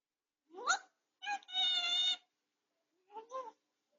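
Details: Grey parrot kept at home, recovering from a beak injury, blurting out words during a quiet rest: a rising squeaky syllable, a long steady nasal tone, then a brief two-part phrase, in a hushed room.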